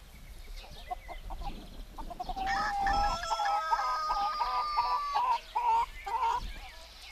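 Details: Morning crow of a rooster kept with hens and turkeys in rural Greece; scattered clucking gives way to a long, drawn-out, wavering crow of about four seconds, with hens clucking around it.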